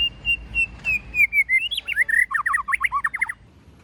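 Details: Shama song in the forest style, used to excite newly trapped birds: steady repeated whistles drifting lower, then a lively burst of twisting whistles and rapid clipped notes.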